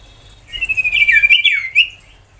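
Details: Sirtu, the ashy tailorbird, giving a short high warbling whistle phrase with a fluttering quality that dips and rises before ending, a 'tembakan' song used to spur young tailorbirds to sing.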